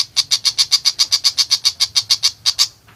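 A long-tailed shrike gives a fast, harsh chatter: about six or seven high, scratchy notes each second in an even run, with a faint low hum behind.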